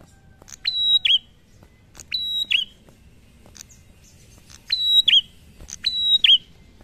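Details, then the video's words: Prinia singing in the ngalun style, said to make other prinias join in; four repeated phrases, each a sharp click, a long steady high whistle, then a quick down-slurred note, spaced about every one and a half seconds, with low background hum. "PRENJAK NGALUN BIKIN PRENJAK LAIN IKUT BUNYI"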